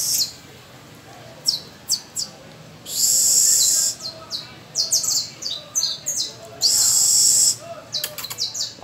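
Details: On the first of May, an adult canary sings as young pupils practise; isolated high chips lead into a long steady trill, a cascade of falling whistles, more chips and a second prolonged roll.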